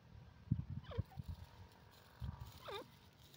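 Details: Grey francolin: two harsh, falling calls about two seconds apart, over low rumbling thumps and background noise.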